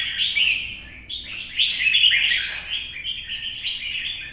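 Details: Captive wild-caught red-whiskered bulbul singing in a contest on a sunny morning: brief warbled phrase, a short pause, then a longer run of rich, rolling, slurred whistles.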